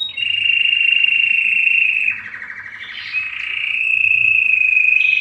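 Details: Belgian canary delivering its strongest song to draw females for breeding, a long sustained high trill that dips briefly into a buzzier rattling section before returning to the steady rolling tone.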